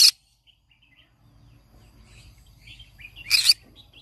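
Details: Green-cheeked conure, said to sing every morning, gives a harsh, loud screech at the start and another near the end, with soft faint chirps scattered between and a low hum beneath.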